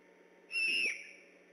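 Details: Great horned owl near the Decorah eagle nest on the night of 3 October 2015, vocal and on alert. One clear, high whistle lasting under half a second, falling slightly at the end, with a faint hum beneath.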